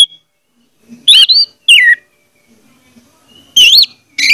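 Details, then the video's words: Orange-headed thrush song, played as a lure to make a silent bird sing: short loud whistled phrases with slurred rising and falling notes, separated by pauses of about a second. "audio suara anis merah || pancingan ampuh untuk ania merah membisu"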